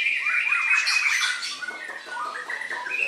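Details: Loud, harsh squawk from a white-rumped shama opens the recording, followed by softer clear whistles that rise and fall in short repeated phrases.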